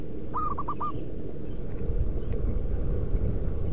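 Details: Zebra dove in the wild, local type, calling to attract other doves: one crisp phrase of four mellow coos early on, after which a deepening low rumble fills the rest.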